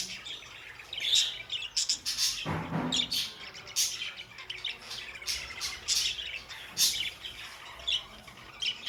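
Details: Pet budgerigars warbling and chirping, high scratchy notes in quick clusters, a short whistled squeak near the start and a dull low thump around the middle.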